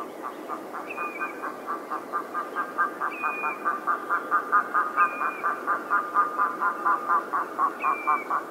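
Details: In the Orkney Islands, a red-throated diver (loon) gives a rapid, rhythmic run of harsh, quacking notes about twice a second, with a thin whistled downslur breaking in every two seconds.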